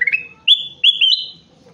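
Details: Golden bulbul, known locally as kutilang emas, singing vigorously: a short rising note, then clear whistled notes held level and stepping slightly higher, with quieter chirps toward the end.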